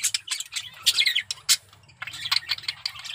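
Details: Male budgerigar in breeding condition giving bursts of scratchy chatter and squeaky whistles separated by brief gaps, with a faint low hum behind.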